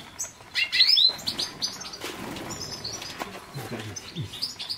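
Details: European goldfinch singing: a dense, fast run of high, bright twittering notes and short liquid trills, loudest early on, with buzzy and chirping elements mixed in and faint low rustling below.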